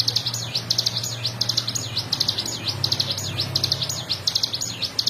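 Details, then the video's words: Ciblek gunung singing in the fast 'ngebren' style, meant for tutoring other cage birds: quick high, sharply repeated chirps in tight clusters over a constant low electrical hum. "CIGUN GACOR FULL NGEBREN"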